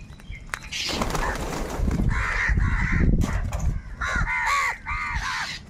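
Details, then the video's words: Many crows fighting for food: a brief wing-flap burst, then clusters of harsh, nasal caws in close succession, several birds overlapping, with a steady low-frequency rumble in the background. "kaka sound and noises of crow birds | Huge numbers of crows crowing and crying sounds"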